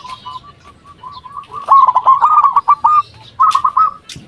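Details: Local zebra dove calling as a lure for other doves to answer: soft spaced coos building into a fast rolling burst, a short pause, then a second quick run.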